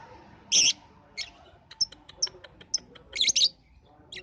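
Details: Lovebird lure to set other lovebirds, including balibu, singing; loud harsh squawky chirps with a train of quick high ticks between them, ending in a doubled shrill chirp.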